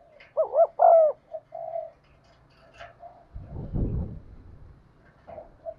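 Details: Spotted dove coo meant to prompt caged birds into cooing: one double-note rising-falling phrase with a longer coo opens the clip, then soft coos and a dull thumping noise.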